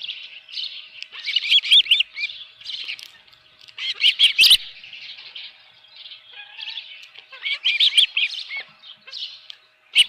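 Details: Osprey calling at the nest on a ranch with a live fish, 7:32 AM, 24 June 2018: bursts of shrill piping chirps come and go over ten seconds, separated by quieter gaps and occasional sharp rattling knocks.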